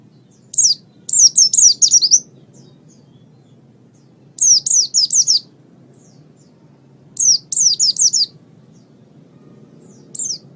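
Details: Oriental white-eye song kept as a master recording for training pet birds: short bursts of high, thin, rapidly descending twittered notes, each burst about a second long, repeated every three seconds over a low steady hum.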